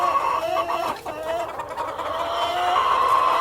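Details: A crowded farmyard of hens with a cockerel: steady layered clucking and sustained whining calls, with a brief dip near the one-second mark.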